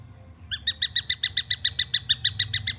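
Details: Young long-tailed shrike calling in a rapid run of about sixteen rasping, harmonic-rich notes evenly spaced over two seconds, starting after a short quiet gap, with a faint low background hum.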